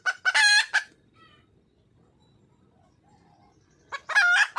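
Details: Wild red junglefowl hen calling for a male: two brief bursts of loud, coarse squawking with clucks at their edges, separated by about three seconds of near silence.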